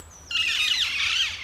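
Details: After a brief hush, a wild feral flock of Alexandrine parakeets in Brussels, Belgium, scared by a common buzzard, bursts into loud, harsh, overlapping screeches with rasping downward-slurred notes as they flee into the forest.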